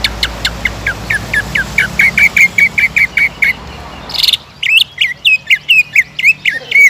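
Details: Leafbird lure song meant to raise a listening bird's aggression. Evenly spaced downslurred notes quicken and rise, then after a short rasp come looping, higher whistled phrases.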